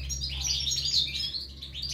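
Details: Goldfinch chicks begging at the nest as they are fed: a quick stream of high sharp chirps and squeaks, fairly loud, over a low background hum.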